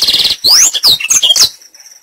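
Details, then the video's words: Black-throated canary singing a lure phrase: a buzzy trill, then crossing upward and downward whistled sweeps and rapid high chirps, ending abruptly in under two seconds. "Pancingan blacktroat agar cepat gacor"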